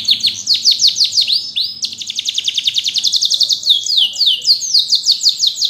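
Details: Yellow canary singing rapid down-slurred whistles followed by a long, fast, even trill and then bouncing repeated high notes.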